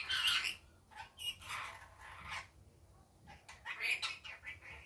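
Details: Rainbow lorikeet kept as a pet, daytime: a piercing screech at the start, then a string of clipped, raspy squawks and clicks, with a quiet pause before more shrill chatter.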